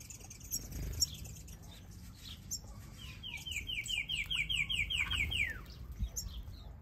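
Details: Finches in an outdoor mixed aviary chirp and twitter in high, quick notes, one bird giving a rapid buzzy trill of repeated notes, with other small birds calling around it.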